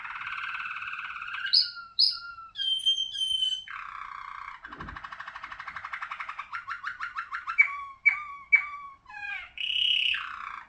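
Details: Malinois Waterslager song canary, ringed, singing a varied sequence: low hollow rolls, high whistled notes, a long rapid bubbling trill, sharp falling chirps, and a closing rolled phrase; a brief low thump near the middle.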